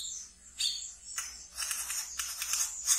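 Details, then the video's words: Caged brown-throated sunbird singing in the chattering ngeriwik style, kept as a pet and played as a lure for untamed birds: high, thin chirps in separate bursts against faint low hum. "Wiceh Ngeriwik Yang Asyik Untuk Di Pelihara dan bisa untuk Pancingan Terapi Bahan kolibri kelapa"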